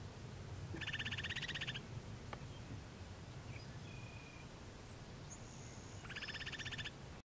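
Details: Upland sandpiper on a roadside northwest of Regina, Saskatchewan, Canada, about 7 p.m. on June 26, 2016, with a second bird a few km east, gives two rapid bubbling rattles of about a second each; faint thin whistles and low wind rumble behind.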